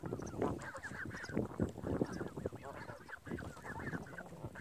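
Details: Geese by a lake calling in a flock, short nasal honks in quick uneven series with brief pauses, several birds overlapping at moderate distance.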